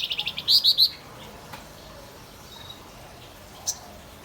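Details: Male Javan grey-throated white-eye singing vigorously: a quick run of high, sharp chirps, then three louder slurred notes within a second, followed by quiet background hiss and a single later chirp.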